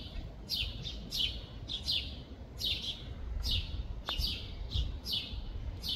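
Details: European robin (Erithacus rubecula) in Tivoli Landscape Park, Ljubljana, 24 June 2024: thin, high, down-slurred song notes, roughly one or two per second, over a steady low rumble of distant background noise.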